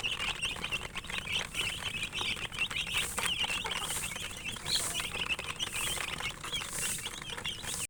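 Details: Domestic chicken chicks (murgi) peeping together, a dense, continuous chorus of high, short chirps overlapping throughout, with faint rustling and scratching beneath.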